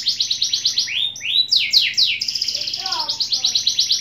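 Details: Canary singing fast repeated trills of downward-sweeping notes, then a few slower slurred phrases and a long rapid high rattle, with a fainter lower warble beneath.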